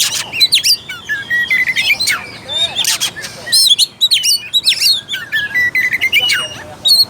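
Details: Oriental magpie-robin lure song intended to excite a lazy, less combative bird: dense stream of varied whistles, harsh broadband rasps and quick chirps with brief gaps between phrases.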